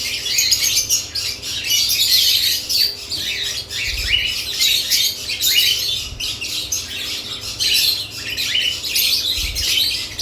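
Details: Lovebirds given nest boxes chatter almost nonstop, with shrill rasping chirps and short rising squeaks, plus two faint low thumps.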